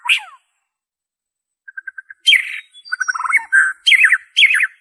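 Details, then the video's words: White-rumped shama (murai batu) original song without mimicry, used to prompt captive birds to sing: a brief sharp note, pause, soft ticking notes, then loud harsh chattering bursts and descending whistled phrases. "PANCINGAN SUARA MURAI BATU ORIGINAL TANPA ISIAN"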